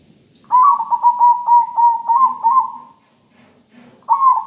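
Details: Zebra dove, a local bird, in full melodious song: a rapid, bubbling run of cooing notes held around one pitch for about two and a half seconds, a short gap, then another phrase begins, over a soft low hum.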